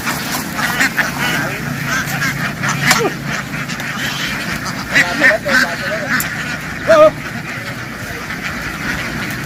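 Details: Farm ducks in a field, running happily into the water and jumping back ashore, make a loud noise: a dense, harsh chorus of overlapping quacks with a few brief honking notes and people talking nearby.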